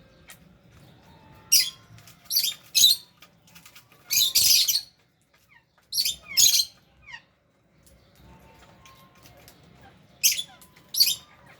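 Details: Lovebirds kept with budgies chatter while feeding: sharp, shrill chirps in loose runs of two or three, with a longer harsh burst in the middle and quiet pauses.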